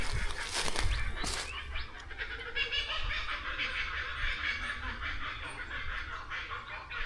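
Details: Kookaburras laughing in Australian bush during a survey, said to be going crazy; an ongoing chorus of rolling, cackling notes after a few loud clicks and handling knocks at the start.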